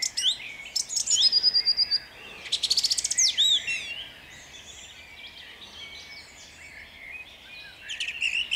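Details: Dawn singing of a song thrush in Jabłonna on 29 April 2021: a fast rattling series of repeated notes and ringing whistles, then quieter background chirps before a new phrase.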